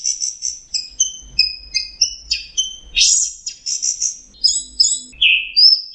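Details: Lure song of an orange-headed thrush, played to stressed birds that have stopped singing: a fast, nearly unbroken run of about a dozen high varied phrases, with bright whistles, quick trills and a few harsher, buzzy notes.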